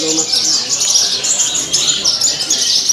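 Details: Caged Javan bush lark at a song contest, hung up and singing steadily with rich fills; an unbroken stream of high, scratchy twitters and thin whistles, with low voices beneath.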